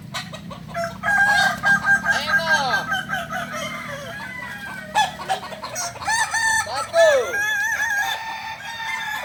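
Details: Kokok Balenggek roosters gathered for practice in Ampang Kualo, Solok, crowing in bursts of looping, curved syllables separated by short pauses, with other crowing birds and a busy human background.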